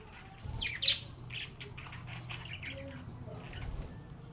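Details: Happy domestic budgerigars singing, playing and chatting with one another. One sharp, loud chirp stands out, followed by a steady stream of softer high twitters and squeaky notes over a low background hum.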